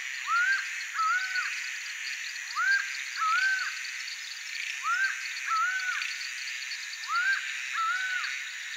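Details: Laughing falcon (Herpetotheres cachinnans) song: loud, hollow paired notes, each pair rising then falling, repeated about every two seconds over a steady hiss of insects.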